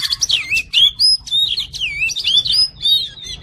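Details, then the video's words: Oriental magpie-robin (kacer) singing a masteran tutor song for a fighter bird: dense run of high twittering and slurred whistles, rapid and varied, with wavy notes near the end. "MASTERAN KACER JADI FIGHTER"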